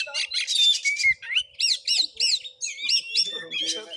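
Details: Fighting oriental magpie-robin in Muko Muko, Bengkulu, Indonesia, singing harsh squawking bursts mixed with looping, wavering whistles that rise and fall, the phrases tumbling quickly one after another.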